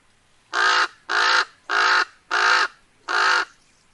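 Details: Five strong, raspy caws from a common raven, each lasting about a third of a second, delivered at a fairly regular pace over slight background hiss.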